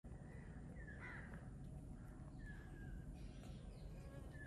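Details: Waterhen in a garden in Sri Lanka gives harsh, slightly falling, croaky calls, three of them over a few seconds, over a steady low rumble of background noise.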